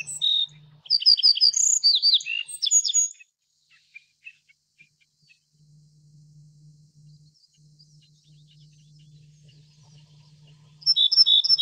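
A Little bunting gives a quick, high, twittering run of thin ticking and chirping notes lasting about three seconds. After a quiet pause, another burst starts. A faint low hum is heard throughout.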